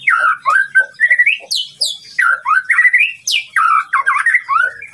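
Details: White-rumped shama singing to provoke a rival, a loud continuous medley of rising whistled slurs, rolling warbles and sudden high sharp notes sweeping downward, with scarcely any pause between phrases.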